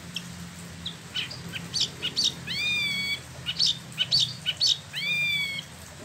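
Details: Caged Spot-throated babbler, an imported bird from mainland China and Vietnam kept in Bandung, West Java, Indonesia, freshly moulted: high chirps mixed with two long rising-falling whistles with harmonics, phrases repeating at an uneven pace.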